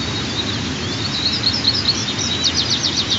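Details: At dawn on 15 June 2023, nestling white-tailed eagles aged 23 and 25 days beg during their first feeding of the day. Piercing chirps, some rising and falling, run together in fast quavering series over low steady noise.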